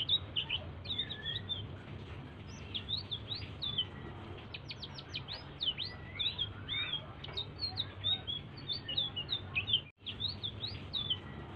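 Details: Soft song of a blue-throated bee-eater, sung to stimulate other birds: lively high chattering with clusters of fast upswept notes, a short gap near the end, and a low droning hum beneath.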